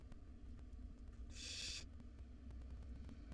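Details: One loud, breathy hiss lasting about half a second rises from five hungry wild barn owl nestlings in their nest box at feeding time, with a soft low hum behind it.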